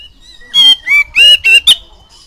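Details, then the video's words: Oriental magpie-robin song used to teach young kacer to sing. A soft opening is followed by five strong whistled notes, sliding and steady, the last one short and sharp, against a quiet background. "COCOK BUAT PANCINGAN KACER MUDA BIAR CEPAT IKUT BUNYI"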